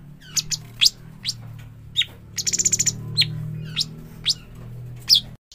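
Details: Juvenile bulbul known locally as cucak cungkok, giving sharp, high, steeply falling chirps spaced about half a second apart and one quick stuttered series of rapid clicks, over a low steady hum.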